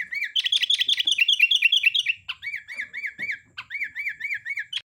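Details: Sooty-headed bulbul singing gacor style: a fast run of rolling, wavering whistles, over two per second, briefly broken, then resumed in the same bouncy rhythm.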